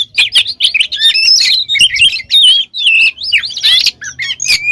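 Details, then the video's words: Oriental magpie-robin singing vigorously, full of varied filler phrases, to provoke other birds into song: rapid continuous warbling of twisting whistles and scratchy notes, with a faint low hum beneath. "Suara Burung Kacer Gacor Full Isian, Pancingan Kacer Gacor Agar Cepat Emosi"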